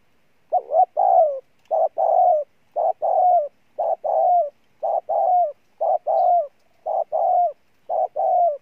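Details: Wild-caught spotted dove in vigorous coo: a rapid, steady series of about nine paired phrases, each a short note then a longer falling coo, repeated roughly every second with no background noise.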